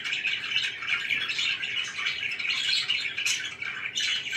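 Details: Captive budgerigars produce a steady dense wall of buzzy, warbling chatter with little pause, a couple of sharper high squeaks standing out near the end.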